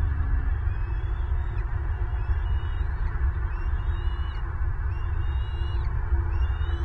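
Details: Wild adult bald eagle at a Southwest Florida nest, 25 February 2023, feeding a chick and then turning angry on both eaglets. Thin, high chirping whistles come in short repeated bursts over a steady low wind rumble.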